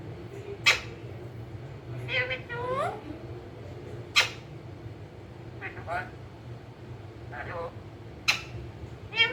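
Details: Rose-ringed parakeet (ringneck), a pet green parrot, described as talking: sharp shrill squawks and rising, harmonic-rich calls in short bursts, spaced a second or two apart, over a steady low hum.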